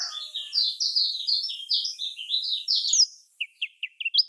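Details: Lemon-bellied white-eye (kecial kuning) song in the typical Lombok style, played as a lure: a steady chain of high, sliding whistled notes for three seconds, then a few separate lower chirps and a rising ending note.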